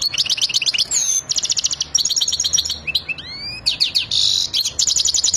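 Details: European goldfinch, excited and ready to mate, singing fast bursts of bright tinkling twitters and buzzy trills, with rising slurred whistles in the middle and a quiet low hum underneath.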